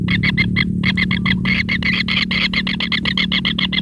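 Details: Kingfisher young being fed large rats by its mother; dense, fast series of harsh rasping notes, roughly four per second, with a constant low hum in the background.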